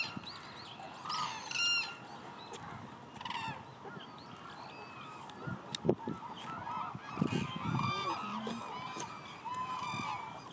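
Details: Hooded cranes at Izumi, Japan, giving scattered honking, bugling calls with rising harmonics, several birds calling over one another against a steady background murmur of a large flock.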